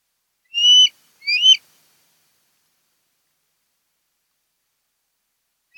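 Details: Osprey at a nest on Kent Island, Maryland, on a conservancy nest camera: two loud, rising whistled chirps in quick succession, then a long silence and the start of another call at the very end.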